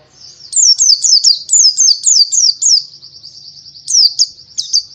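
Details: Buxtoni Oriental white-eye, a tutor recording for training songbirds. Thin high notes open the clip, then sharp down-slurred chirps repeat about four times a second. A smooth buzzy trill follows before more bright chirps.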